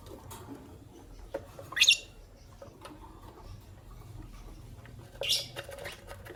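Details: Green Personata and albino lovebirds chirping in the morning; two brief, piercing, high chirps about three seconds apart, between them quiet scratching and soft background noise.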